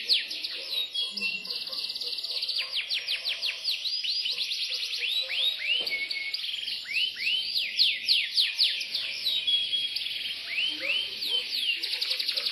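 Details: Imported Yorkshire canary, a caged domestic breed, singing a fast, continuous high song of rapid rising and falling trilled notes. Sweeping whistles and buzzy rolls follow one another with almost no pause, over a faint low background hum.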